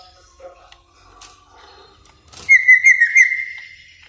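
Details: Greater green leafbird lure sound, used as tutoring for caged birds: after near-silence, a clear whistled tone with quick wavering notes lasts about one second.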